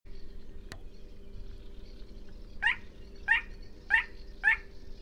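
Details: Little crake (Porzana parva), a nocturnal wetland crake, calling: four short, nasal yapping notes, slightly speeding up, about half a second apart, over a steady low hum and one sharp click.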